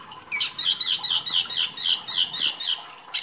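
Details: Actively singing wambi mini, a rarely kept bird, as masteran tutor audio: a fast rattling run of harsh, squeaky high notes, roughly four per second, for nearly three seconds.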